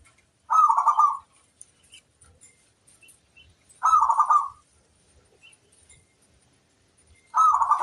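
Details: Local zebra dove in full song, used as a master recording for other birds: a bubbling, staccato phrase of rapid coos, repeated three times about every three and a half seconds, with quiet pauses between.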